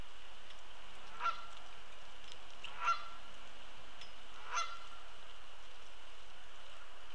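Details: A flock of Canada geese takes off from Sapsucker Woods Pond shortly after sunrise on a snowy morning, 10 November 2017, giving three short, nasal honks about every one and a half seconds over a steady low rumble of wind or water.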